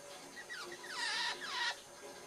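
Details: A one-year-old pet Java sparrow gives a sweet, affectionate soft run of bubbly, falling chirps and clicking notes while having its chest touched, building into two brighter, louder phrases before trailing off.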